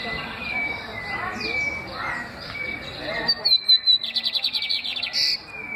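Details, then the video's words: Excited lined seedeater singing: short clear whistled notes repeated at a steady pitch, then a bright rapid buzzy trill of repeated high notes, ending in a brief whistle over a soft background murmur. "bigodinho muito fogoso!"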